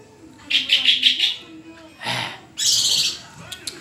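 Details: A white-rumped shama gives a rapid even trill of five or six chips, then a broad noisy burst and a long harsh, buzzy high phrase.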